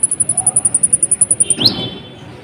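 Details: Brown-throated sunbird song meant to provoke other birds: a rapid, evenly spaced string of piercing high notes, about ten per second, breaking off into a quick rising sweep.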